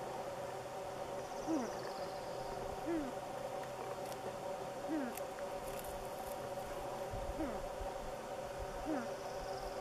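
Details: Spruce grouse eating blueberries gives soft, low, downslurred notes about every one and a half seconds over a steady humming background with faint rustling.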